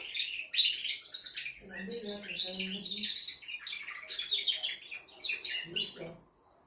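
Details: Singing canary, performed to excite a female toward mating; quick high rolling trills and chirps, mixed midway and near the end with faint lower chattering notes.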